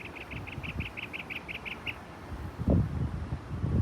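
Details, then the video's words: Mockingbird showing off its singing, a quick run of about a dozen evenly spaced, clipped chirps on one pitch, then it stops; low rumbling and thumps below. "Mocking Bird showcasing it’s talent"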